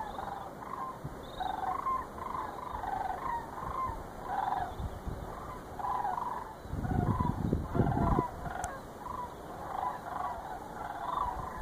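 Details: Sandhill cranes passing over the Chicago area during November 2014 migration, flying and circling. Distinct rolling, gurgling calls repeat through the flock, with a burst of low rumbling noise near the middle.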